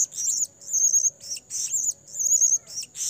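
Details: Blue-crowned hanging parrot lure call for trapping: longer, trilled very high notes, each about half a second, repeated four times with short gaps, sitting above a steady thin whine.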